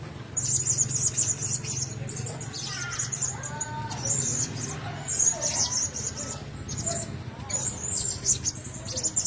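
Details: Several blue-crowned hanging parrots in a shared cage keep up almost continuous piercing high chirps and twitters, with some softer mid-pitched sounds and rustling mixed in.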